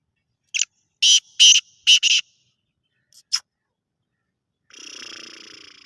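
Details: Harsh, grating black francolin phrase of one lead note and four rapid raspy bursts. Two fainter short notes follow, then a soft, steady buzzing trill closes the recording.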